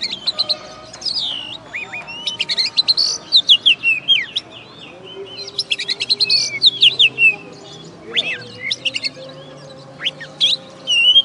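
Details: Oriental magpie-robin that won first place in a bird-song contest in West Kalimantan, kept in a cage. It gives loud, sharp whistled notes and fast warbled slurs in short bursts separated by brief pauses, with a low background hum.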